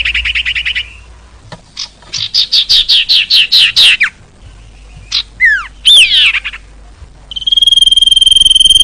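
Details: ['Female common iora calls, used for attracting males: a fast trill, a run of about ten rising chirps, scattered sliding notes, then the start of a long steady pulsed whistle.']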